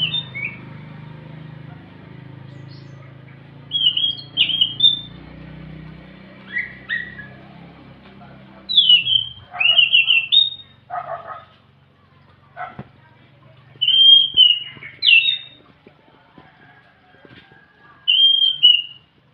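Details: A scaly thrush sings melodiously in the morning, with clear, slurred whistles in slow, widely spaced phrases.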